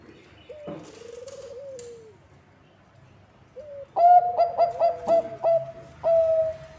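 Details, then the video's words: Bangkok-type zebra dove singing, a recording used to lure other zebra doves: a soft purring trill, then a quiet pause, then a run of five or six quick, bright, clipped cooing notes and a final drawn-out coo. "Bunyi Perkutut Bangkok ASLI Ampuh untuk Pancingan semua perkutut"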